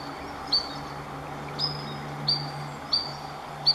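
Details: Adult Spotted Sandpiper near a river at Three Forks Natural Area, Snoqualmie, Washington, alarmed by an intruder too near its fledglings: five sharp, high, thin peeps spaced under a second apart over a low steady background hum.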